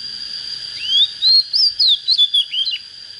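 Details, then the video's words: Young Oriental magpie-robin with a standard voice delivers an ascending whistled glide followed by about six loud, clipped whistles in quick succession, then falls quiet; a steady high-pitched tone runs throughout. "Chích chòe than mộc CHỚM LỬA || có chất GIỌNG CHUẨN"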